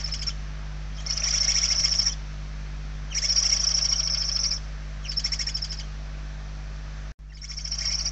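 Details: Inside a barn owl nest in Spain, hungry chicks give hoarse pulsed hissing calls in roughly one-second bouts about every two seconds, over a constant low hum; one brief dropout near the end.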